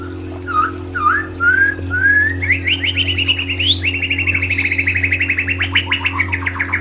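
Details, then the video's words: White-rumped shama singing in a therapy recording: rising, liquid whistles repeated four times, then a long, rapid series of clipped chattering notes that climbs and wavers. A steady low hum sits in the background. "Audio Therapy Murai Batu"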